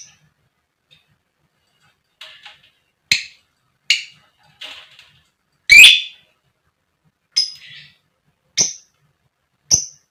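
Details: Female lovebird used to trigger lazy lovebirds to sing, koe koek, ngetik and ngekek styles: irregular harsh shrill chirps, some soft and scratchy, one loud rasping call midway.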